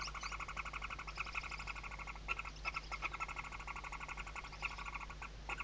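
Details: Barn owl nestlings under the mother at a nest camera in the Ebro Delta, Tarragona, Spain, 2023: sustained rapid chattering of harmonic clicks throughout, with a few brief louder knocks and low constant hum beneath.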